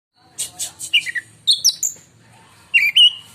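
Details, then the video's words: Caged oriental magpie-robin, a contest bird from Indonesia, singing a long shrill song likened to a lightning strike: a run of sharp high notes, then a gap and a bright warbled phrase. "si raja gantangan beraksi lagi dg suara menyambar"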